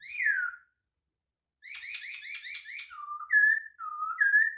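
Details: White-crested laughingthrush with a unique song: a clear whistle sliding downward, then a rapid series of buzzy, rolling notes, followed by alternating low and higher whistled phrases, in a quiet setting.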